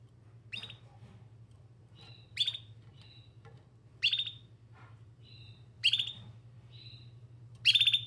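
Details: Canary giving short sharp chirps roughly every one and a half to two seconds, with soft thin whistled notes between them; low hum and faint room noise behind.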